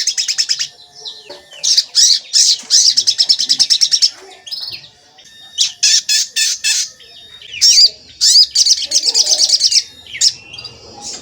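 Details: Javan kingfisher lure call to make others respond and get agitated; loud, high, chattering bursts of rapid repeated notes, several series separated by short pauses, with faint background noise.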